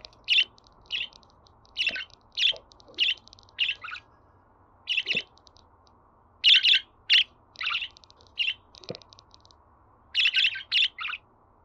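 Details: Lively budgerigar chatter, played to make a pet bird sing and feel at ease: many sharp, scratchy high chirps in irregular bursts, some rapid doublets and triplets, with faint ticking and occasional soft taps.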